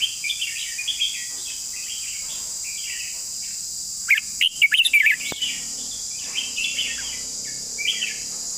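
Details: Red-whiskered bulbul long song: soft warbling notes, a loud rapid burst of slurred whistles in the middle, then more quiet scattered phrases over steady hiss.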